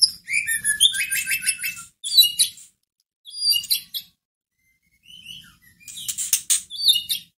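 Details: A white-rumped shama sings to provoke a listless rival into responding. Varied phrases mix clear whistled notes with rapid stuttered trills, delivered in separate bursts split by silences of about a second.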